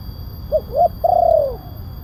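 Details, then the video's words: Single spotted dove phrase played as a lure for wild doves: two brief rounded coos followed by a long, slightly arching coo that slides downward at the end, low steady hum in background. "Suara pemanggil burung tekukur kuk 1 penguku suara besar"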